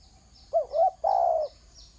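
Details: Spotted dove on the ground uttering two short, bending coos and then a long, even coo. Rhythmic high buzzy notes sound faintly in the background.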